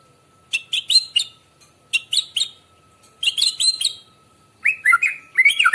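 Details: White-rumped shama heard in the morning, a recording for luring birds: groups of sharp chirped notes in quick runs of three or four, then lower, richer whistled phrases; a faint steady tone runs underneath.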